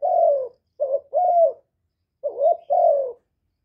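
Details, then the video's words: Spotted dove kept as a decoy, cooing to excite other doves; a long mellow falling coo followed by two husky paired phrases, short rising note then steady drawn tone; clean recording. "Cu gáy hạp bổi GÁY GỌI + THÚC + GÙ + BO kích bổi hiệu quả, cu đất gáy, tiếng cu cườm gù, cu bo"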